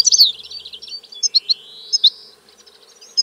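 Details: Song of the European goldfinch opening with a dense tumbling twitter, followed by a drawn-out buzzy rising note and scattered sharp chirps, fading toward the end; faint low hum in the background.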